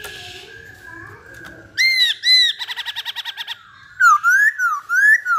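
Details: Masked laughingthrush singing: loud whistled notes give way to a rapid stutter of short repeated notes, then swooping rising-and-falling whistles, after a quieter start.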